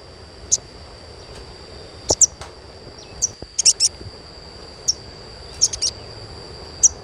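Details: Sogon chirps meant to spur young birds into song. Sharp high tweets come singly and in tight clusters of two or three, separated by pauses, over a faint steady whine.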